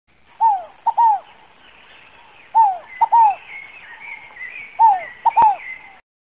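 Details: A dove in Brazil gives soft, hooting three-note coos, each note sliding downward, the phrase repeated about every two seconds; thin chatter from other birds runs behind.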